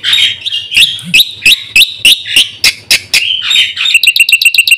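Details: Lure recording of a caged black-winged myna singing energetically: spaced, sharp upward-flicked notes over a steady high tone, ending in a rapid string of clipped repeated chips.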